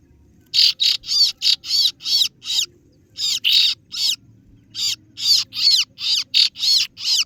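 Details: Kaso-kaso bird lure call, used to draw in rivals: loud, harsh, high scratchy notes in rapid bursts of three to six, separated by brief pauses, over a faint low background hum.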